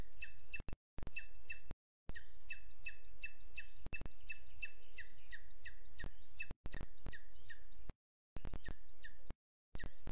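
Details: Booted eagle, 12 June 2022, 07:20, webcam in Sierra de Guadarrama National Park: a long run of sharp, downslurred piping notes repeated about three times a second, interrupted by several brief recording cutouts.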